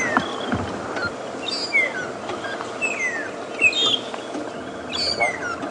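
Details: During a morning drive at Djuma Game Reserve on 12 March 2016, many magpie shrikes sing together, possibly drawn by a suspected termite emergence. Clear, liquid whistles slur up and down as several birds overlap every second or so over a steady engine-like hiss.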